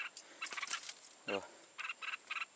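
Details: Decoy red-whiskered bulbul singing at a trap to draw in wild bulbuls: rapid warbled notes in brief bursts, then three evenly spaced chirpy phrases near the end, interrupted by a deep falling human-sounding syllable midway.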